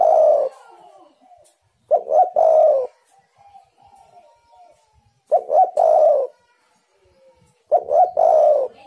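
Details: Spotted dove used as a lure for wild doves, calling steadily: four mellow phrases about every two and a half seconds, each ending in a long, low, slightly falling coo, with faint quiet notes in the gaps.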